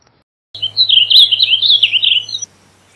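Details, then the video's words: Short, blurred warble from a blue grosbeak, about two seconds of run-together sweet notes, accompanied by a steady low electrical hum that stops when the song ends. "Blue Grosbeak Song! Blue Grosbeak Call! Grosbeak Song! - Picogrueso Azul Canto"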